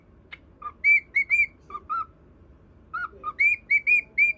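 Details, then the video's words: Pet cockatiel performing a whistled song to a budgerigar, pairs of lower notes followed by runs of four bright higher whistles, with a pause in the middle, over faint background hum. "【オカメインコ 口笛】セキセイインコに口笛を聴いてもらうインコ"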